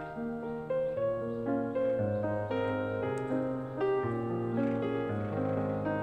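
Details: Gentle piano music with sustained keyboard notes, with no birdsong or other animal calls.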